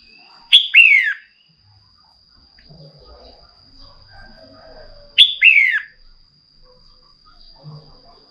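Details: Female red-whiskered bulbul calling to stimulate a male to sing: two sharp, bright double notes sweeping downward, about five seconds apart, over a faint steady high whine and soft low background rustling.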